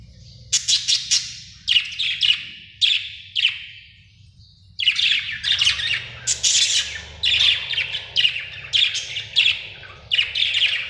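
A budgerigar chirps in quick, scratchy bursts of bright, warbling notes.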